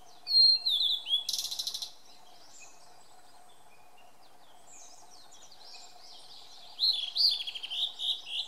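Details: Blue-and-white flycatcher singing in Maruhi Nature Park on 26 April 2014: clear high whistled notes opening, a brief harsh burst, a quiet pause, then a faster run of sliding, warbled whistles with steady low hum behind.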